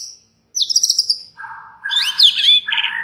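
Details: White-rumped shama singing to provoke rival shamas: a high thin whistle, a buzzy descending rattle, then a low hum-like note leading into twisting whistled slurs and a harsh burst.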